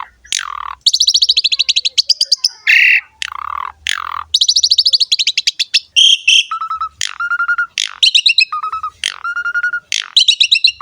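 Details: Asian pied starling in strong song, used to lure and train starlings: long grating rattles, harsh squawks, then bright whistles and level mid-pitched whistled notes repeated several times.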